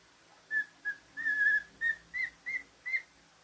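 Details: Cockatiel, a male pet, whistles a simple tune of eight short, pure notes, one drawn out longer, over faint indoor background noise.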